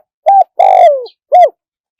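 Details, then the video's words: Spotted dove calling live in a wild-style voice with a one-kuk pattern: a short flat coo, then a long slurred coo sliding downward, then a brief arched coo, all mid-pitched and clear in a quiet setting. "เสียงนกเขาใหญ่ ขันสด คารมป่า100 ขัน 1 กุกเพราะๆ"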